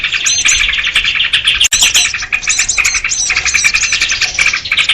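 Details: Trapping lure of noisy sooty-headed bulbuls aimed at small birds. Thick overlapping chatter of fast chirps and short whistled phrases continues without a break, with many birds calling at once.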